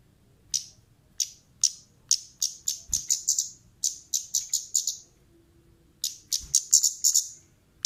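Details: Orange-headed thrush, female, calling to lure other birds: sharp high ticks starting sparse, then speeding into close runs, a one-second pause, then a fast cluster of chips.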